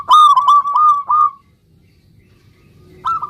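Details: Local zebra dove singing to prompt a reply from other zebra doves: a rolling, nearly continuous run of bubbling coo notes for over a second, a pause, then a fresh loud phrase beginning.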